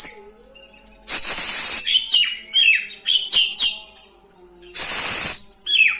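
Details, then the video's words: Rolling song of an oriental magpie-robin, full of isian fill-in phrases and aimed at provoking rival birds; two loud harsh rasping bursts frame a run of high, sliding whistles and chirps. "ngeroll ngeluarin isian, 💯 Efekti buat pancing emosi, dongkrak 🐦 burung kacer"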